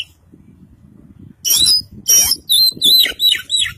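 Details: Caged East Javan Kacer Poci, a white-breasted Oriental magpie-robin trained in full isian style. After a quiet start, loud scratchy bursts come first, followed by a series of wavering whistled notes at roughly three per second.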